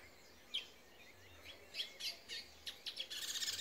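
Brown bullfinch giving a few short, high chirping notes scattered over a few seconds, ending in a dry, rapid scratchy rustle.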